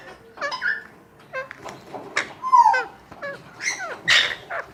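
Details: Young Alexandrine parakeet under care at a Sunday market in Lalukhet gives scratchy, nasal squeals and short downslurred notes, spaced irregularly over a low background murmur.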